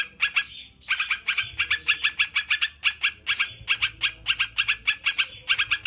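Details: Sooty-headed bulbul singing in a therapy recording for stressed or silent caged birds: a dense, continuous chatter of short bright notes, some slurred whistles mixed in, steady throughout.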